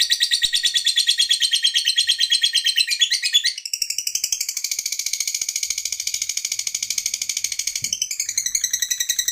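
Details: Pet lovebird in steady high chatter, first rattling fast pulses, then a smoother buzzy stretch of even rapid notes, switching back to choppier chirps at the close.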